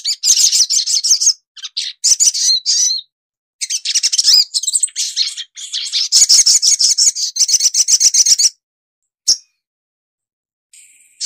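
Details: Olive-backed sunbird (Burung Madu Srigati, locally sogok ontong) in full chatty song, used as a tutor recording: rapid, high, thin twittering trills and buzzy chirps in dense bursts, with short pauses, clean and without other sounds.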